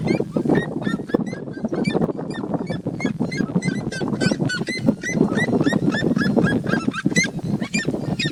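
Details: Trio of red-legged seriemas singing free in nature while sunbathing: rapid, far-carrying yelps repeated several times a second in an overlapping chorus, rising and falling in intensity, over a constant low background rumble.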